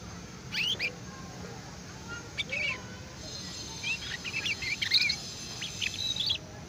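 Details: AF canary youngster learning ngeriwik song: rapid clusters of thin, high chirps and short trills, growing busier toward the end, with a constant low hum underneath.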